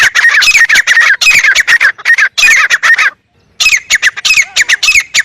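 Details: Grey francolin calling in loud, harsh, grating bursts of rapid notes, three long bursts separated by a short silence, then a further run of quick repeated notes.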